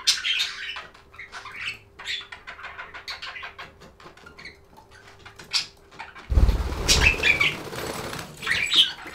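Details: Budgies give soft, scattered high chirps over a faint steady hum, then a sudden loud rustle or bump takes over, with chirping continuing above it.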